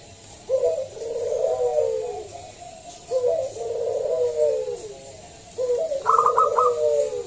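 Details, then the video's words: Local zebra dove lure recording meant to set other doves singing: three rolling, downward-sliding low coos at steady intervals, the last joined by a quick run of sharp staccato notes. "Pancingan Perkutut lokal SUARA BESAR"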